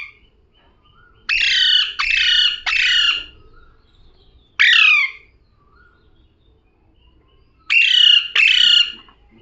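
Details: Parrot kept as a pet calling in short rasping squawks: a quick run of three, a lone one after a pause, then a pair, each call harsh and noisy with a slight downward slur.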